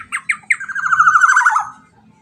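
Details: Black-naped oriole song: two quick nasal notes, then a long rolling series of fluttering syllables that falls slightly at the end, with light low background noise.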